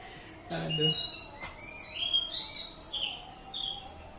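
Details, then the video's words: Greater green leafbird, Indonesian, delivering ngatrok song: a brief low harsh sound at the start, then a string of bright, high whistled phrases, several sliding downward, spaced roughly half a second apart. "Cucak ijo Indonesia ngatrok"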